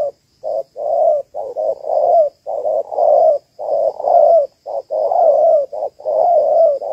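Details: Female spotted dove of the Malaysian type calling to stimulate males, used as a trapping lure. Low, mellow cooing phrases run back to back almost without pause over seven seconds, with short and long notes mixed, and a faint steady high whine behind.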